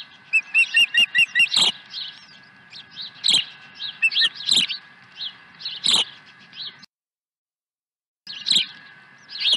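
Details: At a Dunrovin Ranch nest on 23 April 2020, an osprey arriving with a second fish gives a rapid string of sharp whistled chirps, followed by loud broadband knocks and rustling at the nest.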